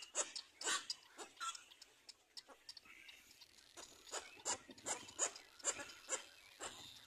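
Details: Little black cormorant (Phalacrocorax sulcirostris) chick giving harsh, broadband begging squawks in irregular bursts, roughly one or two a second, some louder and clustered, while a parent feeds it.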